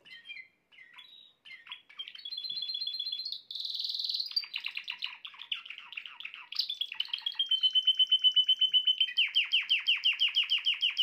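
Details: Canary song said to make a female canary quickly take the mating posture: scattered chirps, then steady whistled notes, a buzzy burst, a rapid clicking series and finally a fast, pulsing trill that grows louder.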